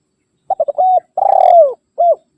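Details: Spotted dove calling for rivals, used for luring and training doves: three fast short coos, a sustained mellow note, a long vibrating coo that sinks at the end, then a single arched coo.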